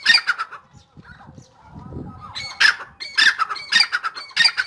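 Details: Dakhni teetar, the grey francolin, in full spirit: a burst of harsh squawks, a quieter gap with faint rumble, then a run of loud, grating phrases repeated rapidly.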